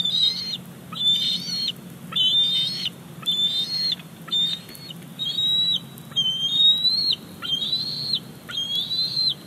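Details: Young bald eagle squeeing for a fish brought in by its mother at Big Bear Lake, July 2019: high, thin, slightly rising whistles repeated almost every second in a steady insistent run over a background hiss.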